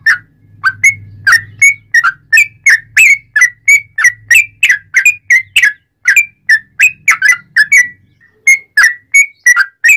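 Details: Sooty-headed bulbul in full, continuous song modelled on the straw-headed bulbul, used to prompt other bulbuls to join in: a steady stream of short, bright whistled notes, rising and falling, about three a second, with a faint low hum underneath.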